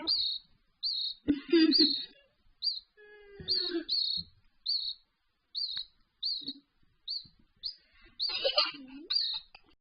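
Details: Raza Española canary chick being hand-fed, August 2017: short high chirping begging notes repeated about every half second, with handling noises and brief low sounds between.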